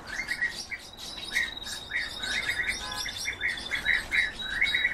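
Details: Goldfinch × canary hybrid in full song, loud and close: quick bursts of bright chirps and buzzy twitters, a thin sustained whistle running beneath, and a short rattle in the middle.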